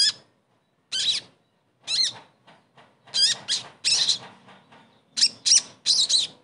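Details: Sogon bird song played as therapy to get a silent bird singing again; spaced bursts of high, rasping notes with quick downward-slurred whistles, becoming denser toward the end.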